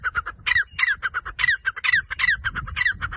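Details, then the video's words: Grey francolin calling, a bird common across South Asia, especially Pakistan and India: loud, harsh, squawky notes, each with a sharp downward whistled slur, repeated rapidly in a steady chattering run. "grey partridge sound, teetar ke awaz, francolin bird voice"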